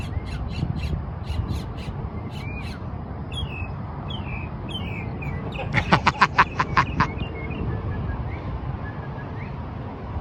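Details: At the Margaret Hunt Hill Bridge, a mockingbird gives sharp chips and short slurred notes, then a burst of about seven loud, harsh, crow-like notes, all over a steady low rumble.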